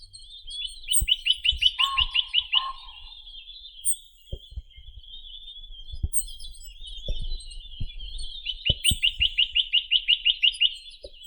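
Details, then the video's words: Chinese nuthatch (Sitta villosa) gives fast, even trills of a dozen or so high, nasal notes, each burst lasting about two seconds, with a few brief low thuds between. "Как поёт Поползень косматый (Sitta villosa)"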